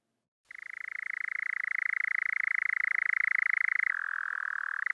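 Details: A male European Nightjar churring on heathland in the evening as the sun goes down: a steady, rapid, mechanical trill held for seconds, shifting abruptly to a slightly lower pitch near the end.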